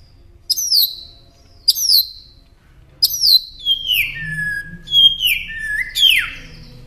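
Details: Northern mockingbird song for training caged songbirds: clear, high whistles that slide steeply downward, repeated at irregular intervals, later phrases longer and ending lower, against a quiet background.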